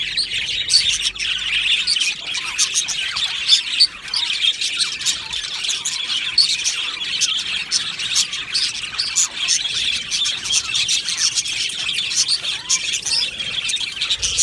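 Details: Colony of Australian budgerigars in an aviary, chirping steadily: many overlapping high, busy warbles and sharp tweets forming an unbroken chattering wall of sound throughout.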